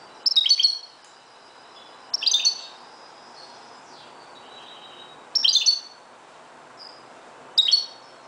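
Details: At dawn a Moroccan goldfinch sings short, sharp, high twittering bursts about every two to three seconds, with faint thin whistles in the gaps.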